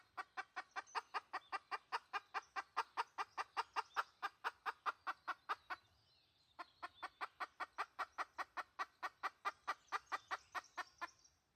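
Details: Lure call of a red junglefowl hen, 2020: a long series of rhythmic, hollow clucks, roughly two and a half a second, with one short gap partway through.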